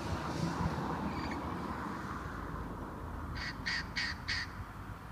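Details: A Red-crowned Amazon on the UTRGV and TSC campus in South Texas on February 26, 2015 gives four harsh, squawking calls in quick succession, with a fainter squawk earlier, over a steady low background rumble.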